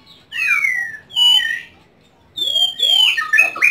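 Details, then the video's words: White-rumped shama kept at home, delivering bold downward-slurred whistles and rising sweeps, a pause, then a rich cluster of overlapping whistled notes. "Bakat Terpendam Murai Rumahan"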